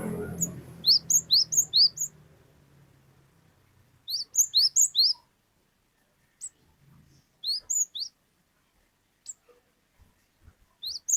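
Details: Glatik batu, or cinereous tit, in full song of the long 'wucit wucit' type: short bursts of four or five very high, rising whistled notes, separated by pauses with occasional single chirps, over quiet low rumble at the start.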